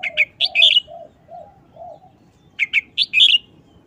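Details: Red-whiskered bulbul in a cage delivering its brisk short wild-song style: two rapid phrases of clear, bouncing whistled notes ending in a richer warble, while low soft cooing runs steadily underneath.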